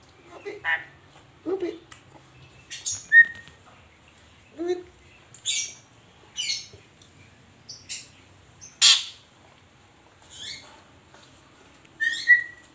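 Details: A pet Asian pied starling chatters busily, said to be asking for coffee, mixing harsh scratchy squawks and rasps with occasional clear short whistles, delivered in uneven bursts over several seconds.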